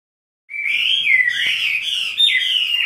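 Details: Chinese hwamei, two birds in duet, in full vigorous song: after half a second of silence a loud, continuous run of clear whistled phrases, sliding up and down and ending in a bright rising flourish.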